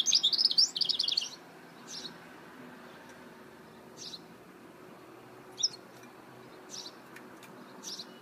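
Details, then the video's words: Hybrid goldfinch (mule): a loud, rapid, high twitter lasting just over a second, then widely spaced single sharp chirps over a faint background hiss. "Chant mulet chardonneret تغريد هجين الحسون"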